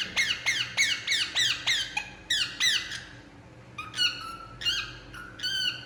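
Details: Indian ringneck parakeet at rest, a fast series of harsh descending squawks followed by a few longer, flatter screeching notes after a brief pause, indoors.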